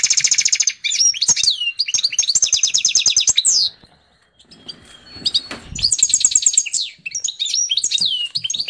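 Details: Hybrid of a female canary and a Portuguese goldfinch singing lots: fast high trills alternating with twittered, swooping phrases, a brief quiet gap, then more trilled bursts.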